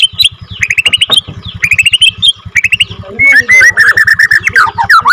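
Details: Captive-bred F2 Borneo white-rumped shama singing bursts of rapid high chips followed by a warbled, tumbling phrase, with a steady low pulsing throb in the background.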